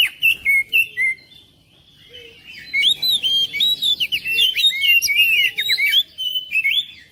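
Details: Oriental magpie-robin song used to make a lazy bird sing at home: a few loud whistled notes, a short pause, then a long, dense stream of twisting whistles and chirps.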